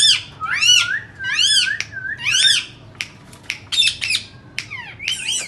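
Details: Indian ringneck parakeets calling: three loud arching screeches with harsh overtones, followed by sharp clicks and quick chattering squawks with falling sweeps.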